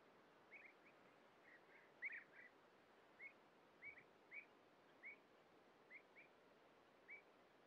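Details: Calls of European bee-eaters at a breeding colony while young are fed at the nest burrow: short, rolling notes spaced about half a second to a second apart, heard at a distance over a soft background hiss.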